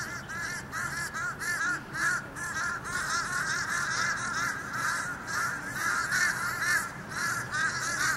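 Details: A mob of fish crows around a building on 14 October 2020 gives a constant overlapping chorus of short, nasal, hoarse caws, several each second, over a steady hiss. A different crow is reportedly heard around 0:30 before being chased off.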